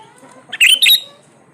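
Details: A single brief, loud sooty-headed bulbul phrase of two quick chirpy, warbled notes, from a lure recording meant to stir silent birds into singing.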